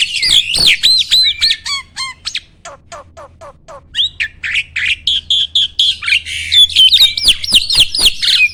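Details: Starling singing as a training recording meant to provoke rivals: looping warbled whistles, then a series of quick downslurred clicks and chips, followed by dense, harsh, buzzy phrases with rising whistles.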